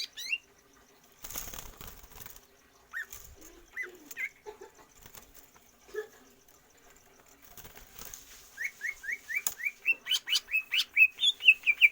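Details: Greater green leafbird, stamina training without free-flight exercise for longer breath. Scattered single whistled notes come between rustles and pauses, then a loud, accelerating series of rising notes builds to the end.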